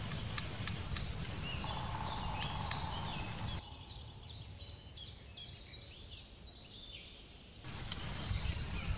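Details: Eurasian nuthatch in the Wittlicher Senke giving a fast series of short, clear, down-curving whistled notes, about three per second, in a quieter middle stretch framed by louder rushing background noise.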